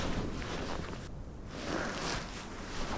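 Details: Gusting wind buffets the microphone alongside rustling footsteps outdoors, and no animal sound is heard.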